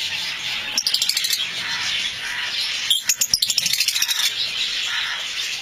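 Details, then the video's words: Lovebird colony: a dense, continuous wash of high chattering and screeching from many birds, with bursts of rapid rattling pulses near the start and around the middle. "Love Bird colony"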